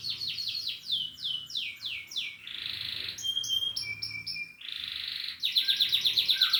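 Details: Singing canary delivering varied tours: descending whistled slurs repeated quickly, a steady buzzy trill, clipped stacked notes, and a final rapid sparkling trill, over faint low hum.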